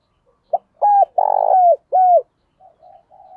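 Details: Spotted dove lure call meant to draw in wild doves: a brief clipped note, then three strong hollow coos, the middle one longest and slightly falling, trailing into quiet muffled notes at the end.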